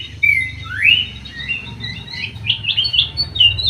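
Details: Greater green leafbird in an aviary, singing an upward-swooping whistle followed by a run of varied chirps and short whistled phrases, with a constant low droning hum beneath.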